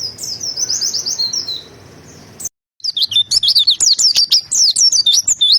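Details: White-eye singing vigorously: rapid, high, thin twittering notes that swoop up and down in quick runs, a short silent break, then a renewed fast string of sharp chirping phrases.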